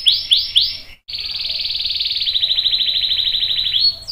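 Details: Canary in a long roll meant to draw other canaries into song: three swooping whistled notes, a brief gap, then a steady fast buzzing trill lasting about three seconds.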